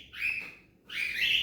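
Young cockatiels give two raspy, high chirping bursts, each rising then holding steady.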